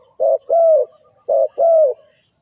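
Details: Spotted dove call used as a trapping lure: two paired phrases, each with a short low coo followed by a longer, slightly falling mellow note. The phrases are evenly spaced and the background is quiet.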